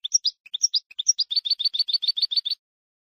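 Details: European goldfinch song from a tutoring recording for teaching young birds to sing: a few separate high chirps, then a quick run of bright twittering notes repeated several times a second before it stops.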